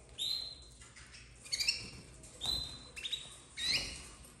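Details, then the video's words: Young domestic canaries of red snowy colour, bred in 2024, giving thin level whistled notes mixed with raspy chirp bursts, spaced irregularly about every second, over soft low background noise. "Filhotes de canário doméstico 2024 vermelho nevado"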